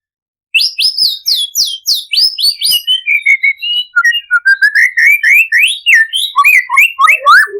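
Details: Imported white-rumped shama, kept as a cage bird, singing to prompt other shamas to sing: a loud rapid series of rising whistled notes, then lower varied whistles and slurred phrases, about three notes a second.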